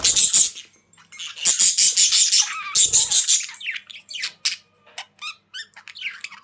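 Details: Loud budgerigar chatter: harsh buzzy bursts pulsing rapidly, then a sequence of thin rising and falling chirps and squeaks, short and irregular.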